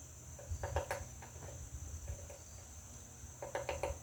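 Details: A woodpecker pecks at a butterfly house, giving short bursts of crisp knocking taps near the start and again near the end, with quieter single knocks between, against a constant high hiss.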